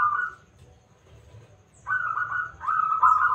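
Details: Loud local zebra dove used as a lure to draw song from other birds: a brief cooing fragment, a pause, then two rolling, warbled coo phrases running together.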